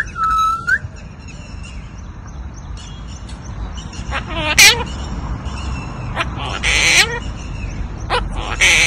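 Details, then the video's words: Red-shouldered (Hahn's) macaw talking with a person: a flat whistle that rises at the end, then harsh bursts, chirps and clicks spaced a second or two apart. "Hahn's macaw talking"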